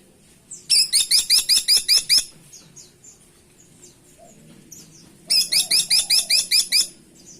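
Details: Woodpecker known locally as caladi tikotok, used as a lure call. Two bursts of rapid, high, squeaky notes, each of about eight notes delivered evenly within a second and a half, separated by a pause with faint background chirps.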